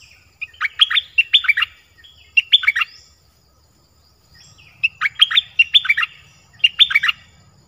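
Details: A Dok Taeng bird sings in repeated bursts of rapid, bright falling chirps, several short phrases in a row, with a low faint hum in the background.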